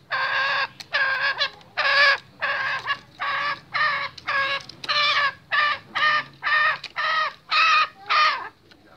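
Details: Restless male junglefowl producing a long run of about fifteen coarse, nasal cackles, roughly two per second, fairly steady in loudness, over a faint low background hum.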